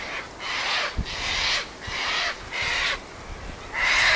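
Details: Sulphur-crested cockatoos that regularly gather at one spot, screeching and squawking: five harsh, broadband rasping screeches, each about half a second long, spaced roughly every 0.7 seconds, with the last one loudest.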